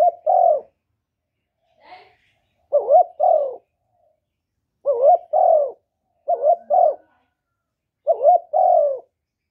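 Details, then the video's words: Spotted dove (cu gáy) recorded live with no background noise, cooing and calling: mellow, low coos in paired notes, a phrase roughly every one to two and a half seconds, over a quiet background. "Cu gáy Hạp Bổi Gáy Gọi + Gù + Thúc + kèm kích bổi, chim cu đất gáy, cu cườm gáy, tiếng chim cu"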